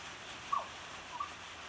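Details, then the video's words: Butcherbird singing in the rain: two short, clear fluted notes about half a second apart, the first sliding slightly downward, over a steady hiss of rain. "Butcher bird singing in the rain"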